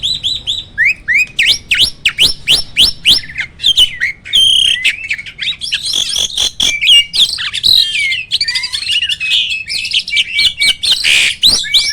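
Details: Hybrid starling, a cross of Asian pied and black-winged starling, kept as a vocal tutor bird with loud rolling, rapid-fire song: dense run of sharp clicks, whistled upslurs and harsh buzzy notes, building to a rich jumbled warble.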